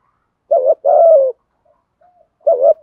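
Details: Spotted dove used as a decoy to train a new bird, 'thổ' voice style; one low hoarse coo, a short note then a longer falling one, with the next coo starting just before the end.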